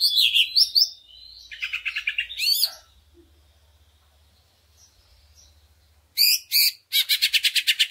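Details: Greater green leafbird lure song for rousing other leafbirds: chirpy whistled phrases and a buzzy trill, a quiet stretch with faint low hum, then loud chirps and a fast rattle of repeated notes.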